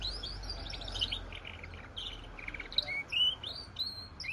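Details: A goldfinch and canary hybrid gives a varied sequence of clear whistled notes and short chirps, some drawn out and some clipped. Steady background noise runs underneath.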